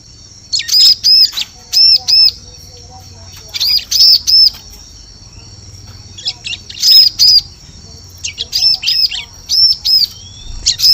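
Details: Bar-winged prinia lure recording for luring birds in forest: clusters of two or three high, arched whistles separated by short silent pauses, with sharp chips between some groups.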